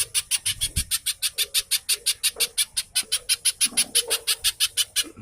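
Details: Little spiderhunter (pijantung) in fast, dense chattering song, used as a lure to prompt captive birds to sing and likened to the tenke buto: harsh, buzzy high notes repeated about five per second in an even run, with faint low murmurs beneath.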